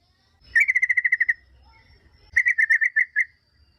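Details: Yellow-vented bulbul song played as a lure so other bulbuls answer: two quick bursts of about ten even, sharp notes, each burst under a second, separated by a short pause in an otherwise quiet setting.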